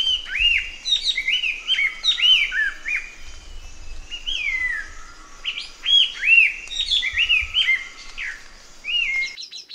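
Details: Chestnut-eared laughingthrush pouring out continuous loud whistled song of looping, arched and downslurred notes, phrases tumbling rapidly over a faint steady hum and occasional low knocks.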